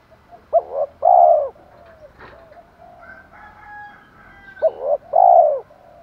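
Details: Spotted dove used as a lure for wild doves, voice style 'thổ pha thúc đấu'. Two matching phrases, each a quick clipped note then a long, full, low coo, with soft faint tones between them.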